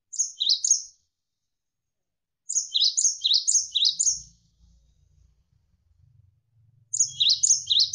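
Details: Javan sparrow singing in rapid bursts of high, clipped, downward-slurred notes, three to six per burst, separated by pauses of a couple of seconds; faint low water sound in the gaps. Recorded as a tutor track for training songbirds.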